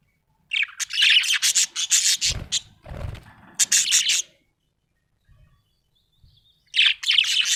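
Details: Happy budgerigar chattering in a rapid run of harsh, rasping chirps, interrupted by two low thumps, then silence before a final short burst of chatter.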